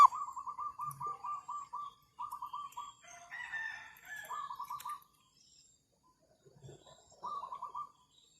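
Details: Zebra dove calling as a trapping lure for wild birds, under overcast skies after a night of rain, with many birds already nesting. Quick strings of staccato coos come in several bursts, and a faint chirp sounds between them.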